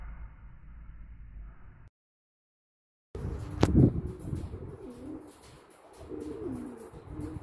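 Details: Male blue pied domestic pigeon recorded on 24 April 2022, cooing in low, rolling, wavering phrases that start after a brief silence, with a sharp knock and some higher rustling in the background.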